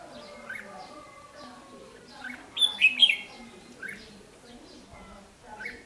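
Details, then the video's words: Red-whiskered bulbul (chào mào) in a trap-fight setup with a decoy bird, 8 July 2016, giving a quick burst of sharp, bright chirps and chatters near the middle, with quieter notes around it and faint voices behind. "chào mào ché chét nạt mồi"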